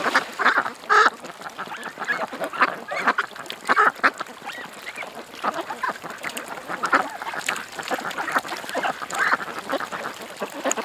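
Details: Ducks gathered at a creek, a noisy crowd of overlapping nasal quacks, some louder bursts standing out over continuous chatter.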